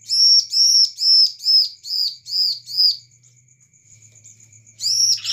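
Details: Lure song of a bar-winged prinia, meant to draw a quick response from other birds: six strong, evenly spaced arched chirps about half a second apart, a short gap with faint high ticking, then the series starts again.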